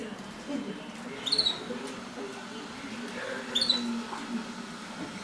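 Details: Two clipped, rising high chirps roughly two seconds apart from Mosaic canaries during mating, with a constant low hum and faint clatter behind.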